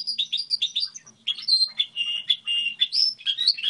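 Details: Goldfinch hybrid singing a song model: rapid twittering phrases of short chirps, then longer buzzy and trilled notes with a few sharp whistled upslurs, all high-pitched, over a faint low hum.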